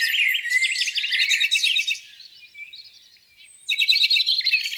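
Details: Spring morning by a lake with several birds singing: a dense burst of rapid chirps and twitters, a quieter thin warble midway, then a fresh surge of bright, busy song.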